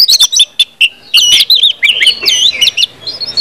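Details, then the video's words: Orange-headed thrush song for prompting other birds to sing: a short sequence of clear, looping whistled notes and a few sharp chips with small gaps. "KUMPULAN ANIS MERAH NGEPLONG BIKIN CEPAT BUNYI DAN GACOR ANIS MERAH"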